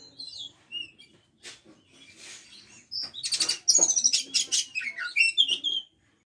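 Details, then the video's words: Oriental magpie-robin singing in the energetic 'konslet ngebren' style: soft scattered notes at first, then a rapid burst of loud, high, varied whistles, trills and chattering phrases in quick succession before stopping abruptly. "Kacer konslet ngebren"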